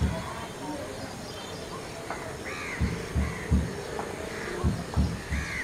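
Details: A Greater coucal, during mating near mangrove forest at Airoli, gives deep, hollow hoots in two quick sets of three, about a third of a second apart, while other birds chirp in the background.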